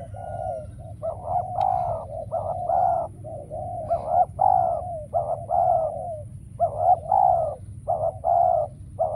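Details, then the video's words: Spotted dove acting as a decoy in a trap calls repeatedly: low, throaty coos in short-long pairs and clusters, one phrase after another with brief pauses, over a faint hum. "Bẫy Chim Cu Gáy , Cu Gáy Bổi Giờ Hiếm Quá Mồi Kêu Vậy Mà Chả Thấy"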